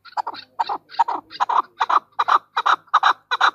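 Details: Female chukar partridge calling with rhythmic double chuck notes, growing louder and steadier through the sequence.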